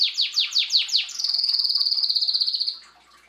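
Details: Canary song with five loud downward-sweeping chirps, then a long, even, rapidly pulsed high trill that stops abruptly, leaving quiet.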